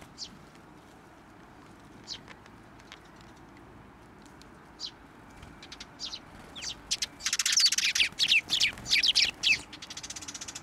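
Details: Sparrows at a Tenmangu shrine on 10 June 2024 fly onto a hand to be fed. Sparse high chirps give way to a dense burst of rapid, overlapping chirping in the final seconds.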